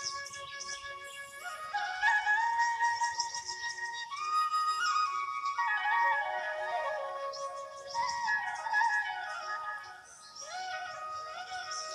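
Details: Flute-like melodic music with sustained, gliding tones and no animal calls.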